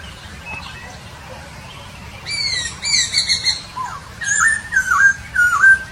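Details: A Papuan poksay in Nabire, Papua, 26 December 2021, delivers harsh, buzzy twin notes, then a string of quick bouncing whistles that swoop down and up, with a soft steady hum underneath.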